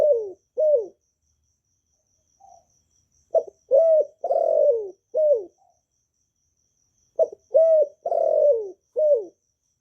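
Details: Vietnamese spotted dove (cu gáy) cooing to stimulate newly kept doves, recorded live without noise; two coos, a pause with a faint soft note, then two full phrases of a short stutter, rising coo, long falling coo and a short ending coo.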